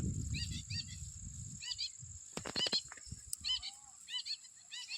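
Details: Jungle babbler sitting on a tree in the evening: harsh, stacked chirping notes in short bursts, separated by pauses, with low rumbling noise and a steady high insect whine behind.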